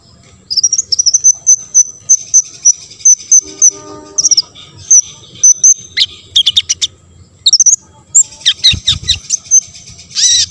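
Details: Lively olive-backed sunbird song, used to goad other sunbirds to sing: fast strings of piercing high chirps, broken by rapid twittering bursts and squeaky slurs, with a short low thud partway through.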